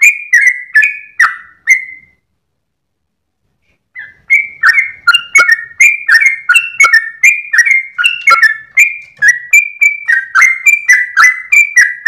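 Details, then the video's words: Sooty-headed bulbul, called trucukan, pouring out a long 'ropel' song before sunrise while wagging its tail, a recording for training cage birds; quick whistled phrases, a two-second gap, then a dense resumed string of slurred notes. "GOYANG EKOR trucukan gacor ropel panjang saat subuh pagi hari"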